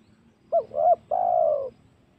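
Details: Spotted dove lure recording used to provoke wild doves, at home or in forest, for hunting: two short throaty coos followed by a longer drawn-out low coo, clear over faint background rumble.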